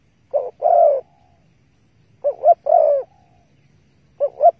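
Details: Spotted dove recorded during bird trapping with bare bait, 15 August 2020: three low cooing phrases, each a short doubled note then a long, slightly falling coo, against a quiet background.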